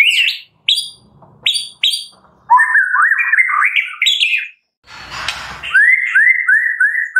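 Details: Medan-type white-rumped shama in loud, varied song: sharp high chips, a long climbing warbled phrase, a brief noisy rasp, then four repeated upslurred whistles.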